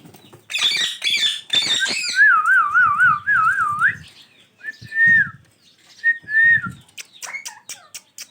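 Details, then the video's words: Ringneck parrots, a pair: a burst of harsh, overlapping screeches, then a loud, smoothly wavering whistle, followed by separate short downslurred whistles and scattered clicks. "Natural sounds of ringneck parrot pair"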